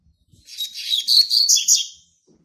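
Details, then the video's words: Young male Double-collared Seedeater born in March 2019, still in brown plumage, sings a territorial phrase of rapid, high warbled notes that builds in volume for nearly two seconds. "COLEIRO PARDO QUERENDO JÁ MARCAR SEU TERRITÓRIO"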